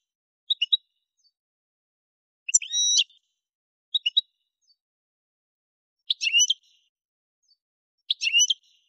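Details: Algerian goldfinch recorded in the Kef El Hammam area of Souk Ahras, Algeria: short high chirped note groups and brief twittering phrases separated by silent gaps of about one to two seconds.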